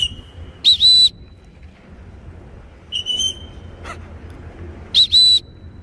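A blue-and-yellow macaw gives three loud, shrill whistles, each under half a second and spaced about two seconds apart, over a faint low room hum.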